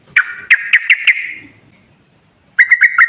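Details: Lure song of a yellow-vented bulbul, meant to set other bulbuls singing: five quick bright bubbling notes with a fading trill, a short silence, then a second run of four chirpy notes.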